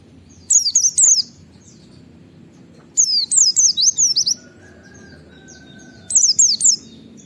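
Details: Wild-style white-eye 'wit wit' call to provoke others into answering: three separated bursts of shrill, high wavering downslurs, the middle burst longest with about seven notes, a faint steady tone between.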